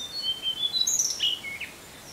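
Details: Tickell's blue flycatcher delivering its type 2 song, a lively phrase of high, thin whistles gliding down, followed by a cluster of sharp, very high chirpy notes, then fading to a quiet natural background.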